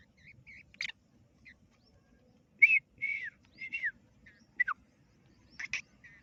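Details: Black francolin chick, a baby teetar, giving scattered short high chirps and downslurred whistled peeps, some brief and faint, others louder around three to four seconds, separated by quiet gaps.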